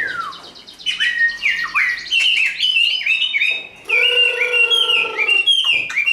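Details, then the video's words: Caged hand-raised Chinese hwamei singing fighting song, a falling whistle, then varied swooping slurs and a long steady note with strong harmonics among repeated downslurs. "Họa mi số 1120 Chim thuần 100% sách tay hót đấu đá rất tốt"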